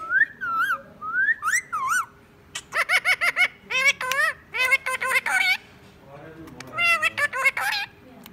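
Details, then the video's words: Pet Indian ringneck parakeet that speaks words such as 'mian mithu', whistling and laughing: wavering whistled notes at the start, then a rapid string of chattering, speech-like syllables and laugh-like bursts. "Talking parrot saying mian mithu | parrot talking and laughing"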